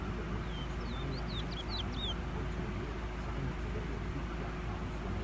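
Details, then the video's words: Seed finch (towa towa), a bird being trained for song in Florida: a quick series of short, thin, high whistled notes, some rising and some falling, over steady low background rumble. "Towa towa"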